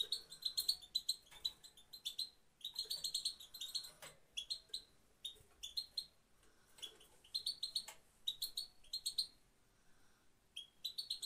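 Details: Female European goldfinch 'pat pat' sound, Afghanistan, used to stir male birds: rapid twittering chirp bursts of about a second each, repeated with short silent gaps, sharp and bright throughout.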